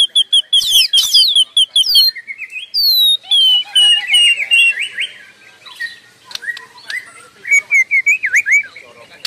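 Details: A white-rumped shama's unbroken song: high repeated whistled notes, loud sweeping slurs, then softer warbling twitters and wavering whistles toward the end.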